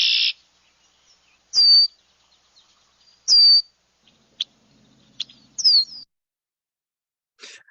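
Red-winged Blackbird giving high, buzzy trilled phrases about every two seconds, mixed with sharp, clipped check notes; otherwise quiet.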